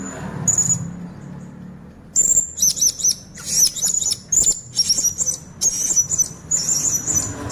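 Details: Blue-crowned hanging parrot singing, played to lure others of its kind: shrill, high-pitched trilled phrases in quick bursts, repeated after brief gaps, over a quiet low hum.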